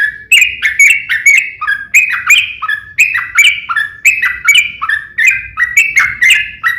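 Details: Yellow-vented bulbul delivering vigorous fighting song with long rapid phrases, a lure for other bulbuls. Rhythmic clusters of bright, gurgling notes repeat in quick succession, about one cluster per second.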